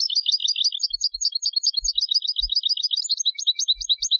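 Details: European goldfinch of Turkish stock singing in Istanbul, Turkey: continuous rapid twittering with bright tinkling and buzzy notes throughout, the dense flow unbroken for over four seconds, with soft low knocks in the background.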